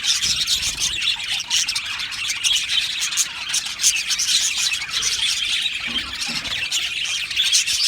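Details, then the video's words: Budgies singing and chirping together in an aviary colony: thick, unbroken high-pitched chatter from many birds, scratchy and warbling, with brief louder squawks now and then. "Beautiful Australian Budgie birds aviary sound | Budgie singing and chirping sounds"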